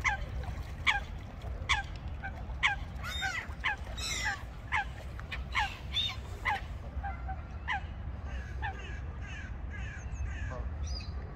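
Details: Ducks in a pond quacking: a loud series of short, nasal, honking calls repeated roughly once a second, some doubled, fading toward the end over a steady low rumble of background noise.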